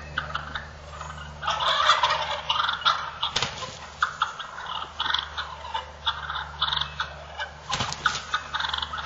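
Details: Wild turkey toms fighting: dense, harsh, overlapping calls and purring chatter across the clip, with sharp thumps or impacts near the middle and again later, over a steady low hum.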